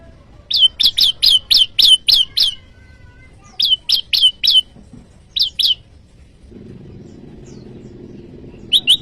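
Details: Bar-winged prinia giving a varied rival-challenging call used to lure wild prinias and train cage birds: a rapid burst of about eight sharp, high chirped notes, then short groups of three and two, with a low hum late on.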